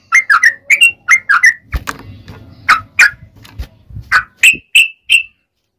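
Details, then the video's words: Yellow-vented bulbul delivering long ropel song, a fighting-style lure to provoke others into singing. Quick runs of bubbly, slurred whistles in clusters, interrupted by low thumps and rumbling before the notes resume. "SUARA trucukan gacor ROPEL PANJANG buat Pancingan trucukan agar bunyi"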